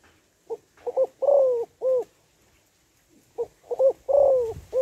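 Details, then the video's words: Calling female spotted dove, used to excite males, in the gáy gọi, thúc and gù styles. Two phrases of short notes around a long sliding coo that drops in pitch, ending on a short note. Faint hiss. "Tiếng Cu Gáy Giọng Hấp Dẫn ĐỦ BÀI [GÁY GỌI,THÚC,GÙ]"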